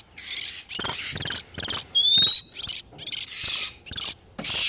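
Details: Oriental magpie-robin pair in breeding condition, a lure for trapping wild birds: a few coarse buzzy bursts around one bright, clear whistle that climbs steadily.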